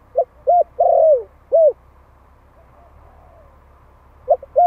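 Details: One-year-old Malay spotted dove calling to attract a mate: low soft coos, short notes then a longer drawn-out one, a pause, and two more brief coos near the end.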